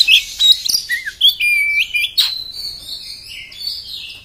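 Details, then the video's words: Oriental magpie-robin song opening with scratchy chirps and short clear whistles, then a sustained high warbled whistle that wavers and slowly trails off. "kacer beset beset kasar bikin emosih"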